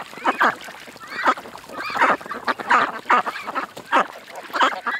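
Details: Ducks at a creek giving loud harsh quacking calls in bursts of roughly one per second, each call a broad nasal note, with some overlap between birds.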